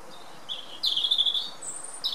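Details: A European robin sings in spring on 20 March 2019, in fine weather with a little wind: thin, high notes jumping between pitches, a long sustained phrase and a very high squeak, over a quiet background.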